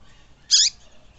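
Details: Single sharp note from a Double-collared seedeater, the tui tui song style used to warm up caged birds, a quick bright buzzy slur dropping in pitch over a quiet background.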